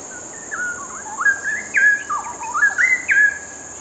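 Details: Straw-headed Bulbul pair singing a short repeated duet to each other while perched comfortably; loud liquid whistled notes leaping and gliding in a bubbling, syncopated run of about six phrases, over a faint constant high-pitched hiss.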